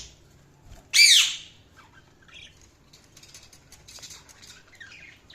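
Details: Budgerigars chirping: one loud, harsh squawk rich in overtones bursts out early, then a handful of faint, scattered high chirps and soft warbles follow against a quiet background.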